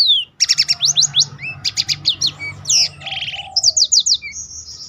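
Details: Energetic black-throated canary song, kept as a master bird for others to copy: rapid repeated high chips and trills, a buzzy rattle, then rising whistled notes.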